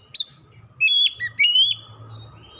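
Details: Oriental magpie-robin lure song for coaxing birds to sing: a sharp high note, then two strong rising-and-falling whistles in quick succession, over faint distant bird chatter and a low background hum.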